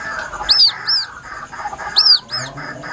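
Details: White-breasted waterhen chick calling plaintively: thin, high, arched whistled peeps, given singly and in quick pairs about every second and a half, over a steady murmur of lower background sound.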